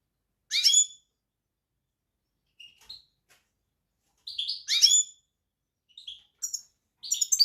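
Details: European goldfinch uttering scattered bright, tinkling twitters and short buzzy notes, growing busier toward the end.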